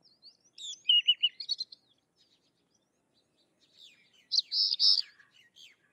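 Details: Sykes's lark uttering a quick run of repeated trilled chirps, then a louder, rough, buzzy burst a few seconds later. Softer, thin twitters fill the spaces between.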